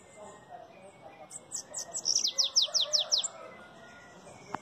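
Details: Caged bananaquit of Belgian line singing a rapid series of high, thin descending strokes, about eight in a row, rising in loudness mid-phrase, preceded by faint twittering and ending with a soft click.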